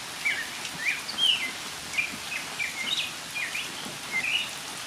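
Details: Northern mockingbird singing in rain, clear varied slurred chirps and upswept whistles given one after another at a brisk pace, with soft rain in the background.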